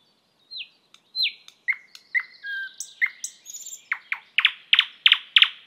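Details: Thrush nightingale (Luscinia luscinia) song opening with soft down-slurred whistles and thin piping notes, then building into a series of loud, hard, clicking notes repeated quickly and evenly.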